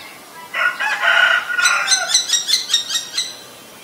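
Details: Common Myna in Ubon Ratchathani, Thailand, May 3, 2022, recorded on a Nikon P1000: a loud, raspy, gurgling burst, then a run of about eight sharp, clicking, metallic notes in quick rhythmic succession.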